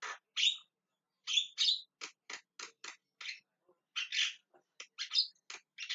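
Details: Javan myna screaming and calling: harsh, buzzy squawks alternate with short scratchy chirps in uneven bursts, some rising then falling, with brief silent gaps between phrases.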